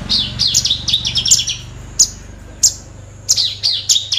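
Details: Horsfield's bush lark giving a quick twittering phrase followed by spaced single sharp chips, over a low steady hum.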